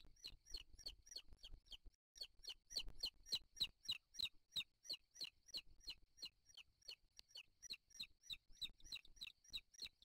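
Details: Wild booted eaglets begging at the nest as the father arrives with a bird to feed them, 3 July 2023. Continuous rapid high, downslurred peeps, about three or four per second, briefly interrupted once.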